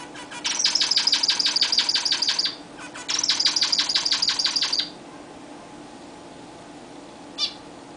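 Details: Caged pet zebra finches during their first bath in a new, larger cage. Two long runs of rapid, evenly repeated buzzy notes, about two seconds each, are separated by a short pause, then a single nasal call follows after quiet.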